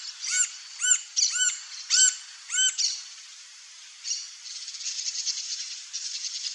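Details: Green-barred woodpecker, seen feeding on ants, in its natural habitat in Brazil, gives five quick arched, ringing notes about half a second apart, then falls silent as a dense high insect buzz continues.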